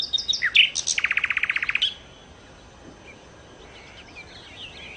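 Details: Nightingale, called sikatan londo locally, opens with sharp high chirps, then a quick run of about fifteen evenly repeated rattling notes, followed by near silence and faint distant twitters.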